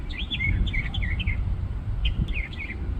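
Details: Small bird perched atop a tree in a shop parking lot, singing a varied song of quick whistled, looping and slurred phrases, with a pause and then more rising and falling notes; steady low rumble of traffic beneath.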